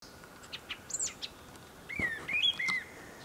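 A brown thrasher sings a quick run of varied phrases: short chips, high arching whistles, then lower slurred notes in close succession, over a faint steady background hiss.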